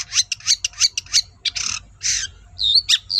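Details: Singing long-tailed shrike, used as a lure so other shrikes respond: quick scratchy chattering notes, two broad rasping buzzes, then squeaky whistled slurs and a sharp chip.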